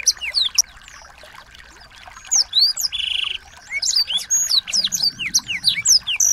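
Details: Brief chirps, a quiet stretch, then a burst of small-bird song with a steady buzzy note and many quick downslurred whistles. Meant to provoke a white-rumped shama into emotional song.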